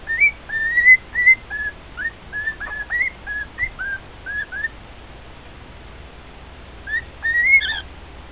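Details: A domestic male cockatiel sings to its two cage mates, giving a quick series of bright, short whistles, several sliding upward, at about two or three per second, then a silent gap and a final rising whistle.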